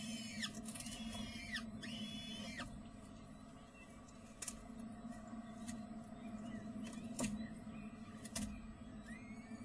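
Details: Peregrine falcon at feeding time in spring gives several arched, whining calls in quick succession, then sharp clicks and a last short call, over a steady low hum.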